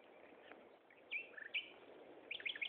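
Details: Common nightingale song, Gaasperzoom, 16 May 2012, mid-afternoon: separate short phrases of sharp chirps and slurred notes, with a final run of rapid, loud, varied notes against low background hiss.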